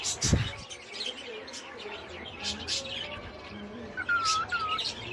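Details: A pet cockatiel whistling and singing gives two clear, slightly falling whistled notes after a knock and quiet room noise.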